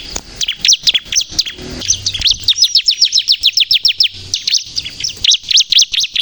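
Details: Lively bar-winged prinia (ciblek kristal) song used to lure and provoke other birds: fast series of sharp, high, downward-slurred chips, about three or four per second, forming steady trill-like runs.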